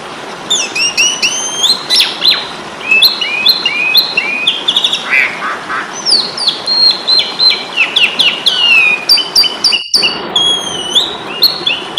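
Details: Asian pied starling singing for a fighting contest, used to train songbirds: a long stream of hooked whistles, chatters and high chips with a sharp click near the end, over steady hiss.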